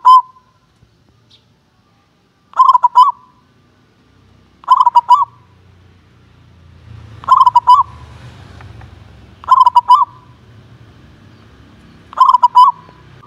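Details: Contest-class local zebra dove calling: loud, clear bursts of rapid stuttering coos, one at the start and then repeated about every two and a half seconds, over a faint low rumble.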